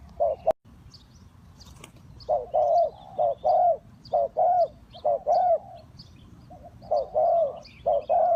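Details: Spotted dove kept for luring wild birds into traps, cooing in steady pairs of a short note and a longer arched one, with a sharp click near the start and faint high chirps of other birds.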